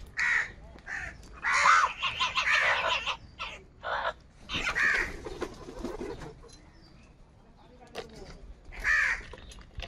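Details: Morning crows competing for food: overlapping rough caws crowd the first half, then thin out to a few isolated calls with quieter stretches.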